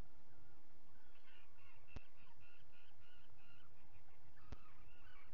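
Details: Common guillemots at a nest ledge on a live camera on 27 June 2020 as two chicks hatch; a quick train of short, high peeping notes runs for a few seconds over steady low rumbling background noise, with two sharp clicks.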